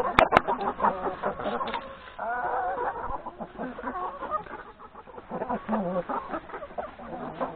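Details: Hens and three roosters at breakfast in a yard before going out to graze in the forest; two sharp clicks at the start, then dense repeated clucking and chattering from the flock.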